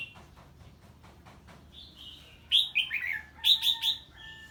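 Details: Red-whiskered bulbul reacting to an unfamiliar bird, opening with faint ticking and soft whistles, then breaking into a loud chattering phrase of quick warbled notes.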